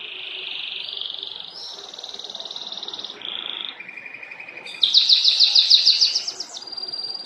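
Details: Canary singing during mating: sustained high buzzy trills that shift between pitch levels, then a louder rapid rolling trill of repeated notes before settling into a steady whistle.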